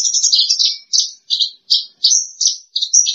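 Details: Second-place champion bush lark singing very high, buzzy, rasping notes in quick bursts, some short and clipped, others drawn out, with brief silences between.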